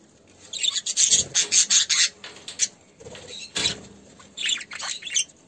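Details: Caged budgerigars in an aviary during courtship, the male feeding the female: scratchy, raspy chattering in short bursts, rapid and irregular, with brief pauses between runs.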